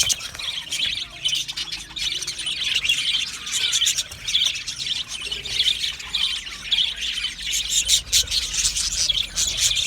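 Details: Budgies chirping and singing nonstop, a busy stream of high, raspy warbling and clicking chirps with occasional sharp squawks, loudness pulsing unevenly over about ten seconds.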